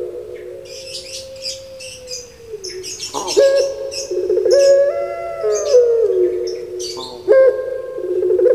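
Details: Kept Barbary dove, or puter pelung, from Java: a fading coo, then a loud stepped coo that rises and drops, with many small birds twittering high in the background.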